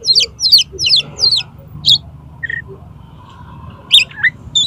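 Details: Oriental magpie-robin singing konslet style to prompt a rival magpie-robin to fan its tail: four quick high warbled phrases, then a short pause, a lower whistle and a few sharp notes, over a faint hum.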